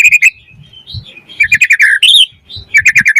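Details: Song of a white-rumped shama meant to prompt other birds to sing and to serve as tutor material: rapid repeated chips and trills with a brief upslurred whistle between bursts.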